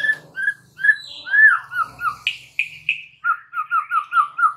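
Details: White-rumped shama (murai batu) singing hard on a training recording for other shamas: varied rich whistles and slurred phrases, ending in a fast series of about eight evenly spaced repeated whistled notes.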